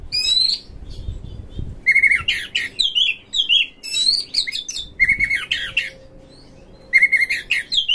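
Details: Oriental magpie-robin song meant to goad magpie-robins into tail-opening, intense singing and fighting: repeated phrases that open with a steady whistled note, then tumble into varied buzzy and slurred notes, recurring about every two to three seconds.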